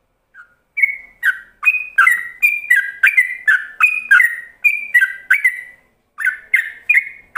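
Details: Yellow-vented bulbul in an extended ropelan song, used as a lure for other bulbuls to copy. After a quiet opening note comes a long string of loud, rich whistles alternating high and low pitch, a brief pause, then more.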